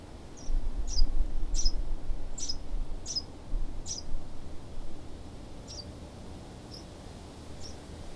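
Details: House sparrow from Southeast Ohio: a run of sharp, high chirps about every half second, then sparser, softer chirps trailing off, over steady low rumbling background noise.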